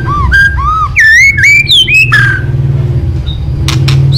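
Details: Murai batu, the white-rumped shama, singing a lure song meant to set other birds singing: loud, rich whistled phrases that rise and slur, repeated quickly, then clicks, over a steady low hum.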